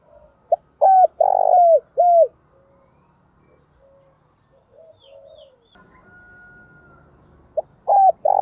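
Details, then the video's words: Decoy spotted dove calling to lure wild birds in the Vietnamese countryside: low, hollow cooing notes in short groups, one long coo between shorter ones, then a quiet gap with faint background sounds before the coos resume. "Chim Cu Mồi Gọi Bổi Vang Một Vùng Quê"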